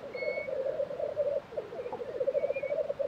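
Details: Black grouse lek sounds from Tiveden, Sweden, April 2023: a low, throbbing bubbling chorus, with two faint thin whistles of another bird at the start and end.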